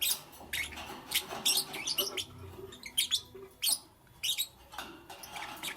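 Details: Morning lovebird chirping: repeated short, sharp, high chirps and squeaks in irregular bursts over a steady low background hum.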